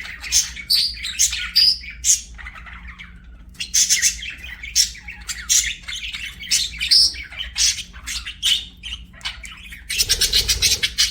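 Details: Pet budgerigars give loud, high, scratchy chirping in quick bursts, ending in a fast rattling trill, with a faint low hum.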